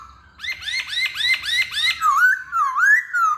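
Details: Hwamei singing as a cage bird: five or six quick upswept notes repeated rapidly, flowing into a rich wavy whistle that dips and rises twice.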